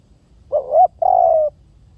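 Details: Spotted dove giving a single low coo phrase: a short, wavering two-part note, a brief pause, then a longer steady coo that slides slightly downward, over a quiet low background hum.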